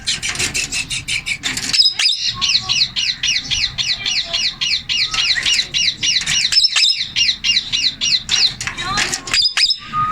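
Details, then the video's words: Male Indian ringneck parakeet, a pet, vocalizing: a long fast series of repeated harsh chirping notes about four per second, with a few sharp clicks and squawks. "MALE INDIAN RINGNECK TALKING"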